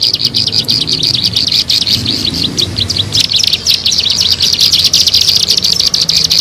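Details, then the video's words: Bar-winged prinia, recorded for luring birds, giving a long stream of rapid high-pitched chirps, evenly loud throughout, over a soft low rumble. "SUARA MP3 PIKAT BURUNG CIBLEK SAWAH"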